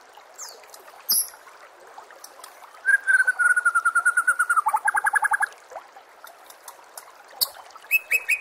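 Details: Training song of a white-rumped shama for bird contests: a sharp call, then a rapid even trill of about thirty notes dropping slightly in pitch midway, and later a few high scattered notes.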